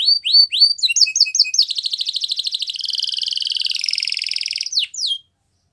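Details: A yellow canary sings in the morning, starting with slow upswept whistles, then short chips, then a long rapid rolling trill lasting about three seconds that ends in a quick downward flourish before silence.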